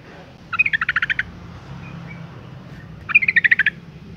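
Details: Female yellow-vented bulbul calling to rouse males into song: two short bursts of rapid, even chattering, each about eight quick notes, separated by a quiet two-second gap with a low background murmur.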